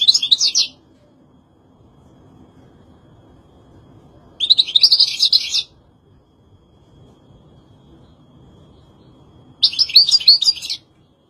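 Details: European goldfinch giving three short bursts of rapid, high twittering song, each under a second long and spaced about four to five seconds apart, with near silence in between.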